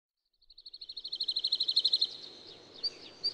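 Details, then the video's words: Woodlark song: one phrase of high, fluty notes that begins soft and quickens while swelling in volume for about two seconds, then breaks off. Two isolated notes follow over faint background noise. "Как поет лесной Жаворонок"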